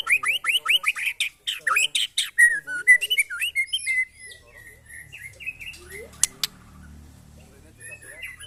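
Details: White-rumped shama tested against neighbouring birds, delivering fast, loud, varied phrases of sweeping whistles and sharp chips that trail off into softer, scattered notes over faint low background noise.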